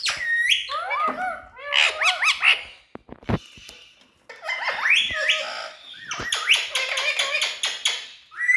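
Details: Tame ringneck parrot, a talking bird, giving a string of looping, warbled harmonic notes that swoop up and down in pitch, with a brief sharp click in a short pause midway.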